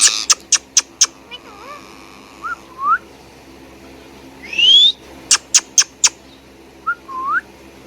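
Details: Indian ringneck parakeet, a pet bird, gives sparse groups of four quick piercing chirps, short curved whistles and a drawn-out rising whistle, separated by quiet stretches.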